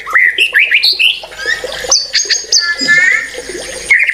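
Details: Rapid, varied white-rumped shama song of quick rising whistles, high chirps and a rich warbled passage, sung continuously with sharp accents.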